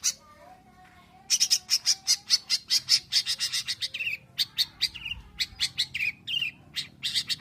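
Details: Long-tailed shrike from Indonesia: a low drawn whistle, then a fast series of harsh chattering notes broken by brief slurred whistles.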